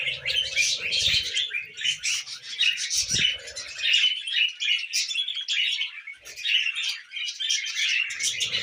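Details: Several tame budgerigars chattering while they feed on millet, a continuous stream of high, fast, twittering chirps and warbles with a few soft thuds and a sharp click.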